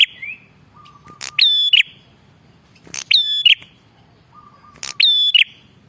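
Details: Bar-winged prinia in full voice, used to lure prinias: a flat introductory tone then a loud buzzy ringing double note, the set given three times at steady intervals, with low background hum.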